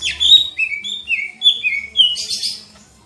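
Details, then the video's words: Lesser green leafbird song: a clear series of slurred, falling whistles, about four per second, ending in a hissing, scratchy rasp. "NYANYIAN MASTER GACOR BURUNG CICA IJO"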